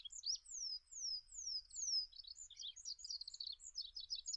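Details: Olive-backed pipit singing four clear, sweeping, descending whistles at a steady pace, then breaking into a rapid mix of high buzzy trills and twittering notes. Faint low background hum throughout.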